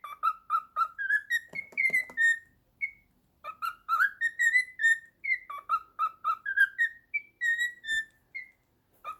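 A cockatiel whistles a clear, tuneful phrase of bright notes that step up in pitch, repeated with short pauses.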